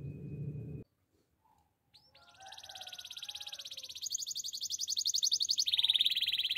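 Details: Canary singing after a short low noise and a pause: a rising whistle leads into a long accelerating high trill that shifts pitch, pulsing about four times per second.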